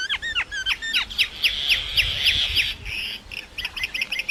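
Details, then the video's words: Song of a common myna making different sounds: rapid repeated slurred whistles blending into a sustained rasping buzz, then softer clipped notes. "Common Myna Bird sound like singing (Making different sound)"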